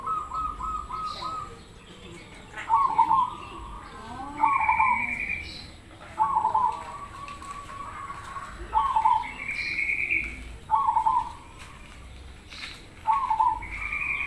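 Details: Cemani Krosing zebra dove singing so that other doves respond, giving repeated short trilled coos every one to two seconds, mixed with higher, drawn-out whistled notes from another bird and some faint voices.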